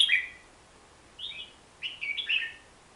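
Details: Fairly soft Hook-billed bulbul song: a few short, slurred, chattering note groups over a faint hiss.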